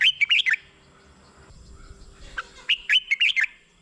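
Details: Cheerful, bouncing phrases of a red-whiskered bulbul, played to decoy or stir caged birds; two phrases of several quick notes each are separated by a two-second pause with low rumbling.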